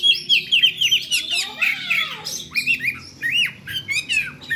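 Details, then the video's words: Kacer (Oriental magpie-robin) calling, 'ngeplay' style: a quick series of clear repeated whistled notes, then a long descending sweep, followed by scattered chirps and upward-flicked whistles in rhythmic pulses. "suara kacer ngeplay memanggil"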